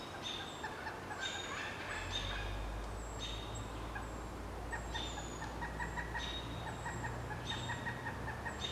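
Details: Pileated woodpecker chicks a day from fledging, in a nest about 25 feet up a dead snag, give bursts of harsh, nasal, chattering calls about once a second, a parent answering, over a steady low rumble.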